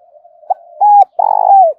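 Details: Loud, clear morning coo of a spotted dove calling in wild birds: a quick short note, a steady level coo, then a long rough pulsing coo that slides downward at its end.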